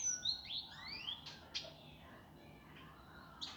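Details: Indigo flycatcher master recording for training birds, rough, fast and dense in style: sweeping whistled notes rising and falling, a few sharp high clicks, then quieter pauses with a final bright note.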